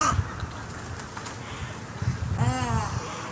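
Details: Snowy egret giving a single short, harsh, nasal call with stacked harmonics near the end, after low rumbling gurgles and background hiss.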